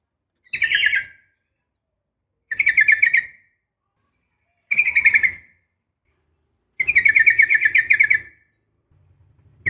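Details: Female sooty-headed bulbul calling for a male: four separate short bursts of quick trilled chirps spaced about two seconds apart, the last burst longest.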